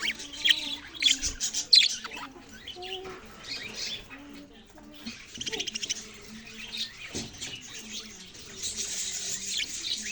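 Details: Budgerigars chirping: dense, scratchy high chatter and quick twittering notes in bursts, loudest near the start and again toward the end, with faint low tonal hums and murmuring underneath.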